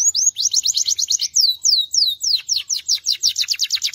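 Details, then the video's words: Belgian canary sings high, rapid trills of sharp down-slurred notes, slows into a few longer sweeping whistles, then speeds back into a fast, buzzy trill. "Belgian Canary Chirping"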